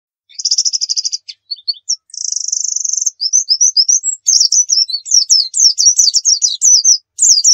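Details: White-eye singing in the 'nembak' style, meant as a tutor and lure recording: high, fast trills and rapid rising-falling chirps, with buzzy rolled bursts early and a tumbling run of sharp notes later.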